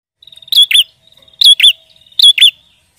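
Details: Prinia singing constantly, used as a lure for trapping prinias: three phrases, each a soft buzzy trill that leads into two loud, sharp, wavering chirps. The phrases come about every 0.85 seconds against a quiet background.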